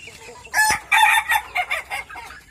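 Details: Ayam Ketawa rooster from Meulaboh doing its ngokok laughing crow: a sharp opening note, then a series of separate bursts, about six in under two seconds, like broken cackling laughter.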